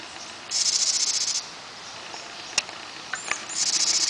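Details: Nesting pair of house wrens feeding their brood in June: a high, harsh pulsed buzz of about a second, a few sharp clicks and knocks, then the buzzing rasp starting again.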